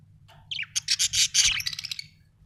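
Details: Budgerigar chatter: a dense, rapid string of buzzy, pulsed chirps lasting about a second and a half, opening with a short downslurred whistle.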